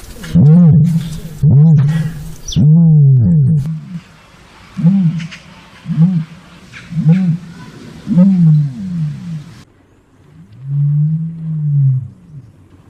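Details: Common ostrich giving low, booming, hooting grunts in a loose series, roughly one per second, ending in a longer drawn-out rumble after a pause.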